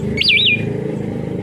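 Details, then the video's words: One rolling, looping whistle from an orange-headed thrush over loud traffic-like rumble. The song is used to stimulate a bird that has stopped singing. "Rangsangan burung anis kembang macet"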